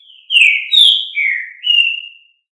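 Green-winged saltator: four loud, rich whistled phrases, slurring down then up, delivered briskly in about two seconds. No other sounds.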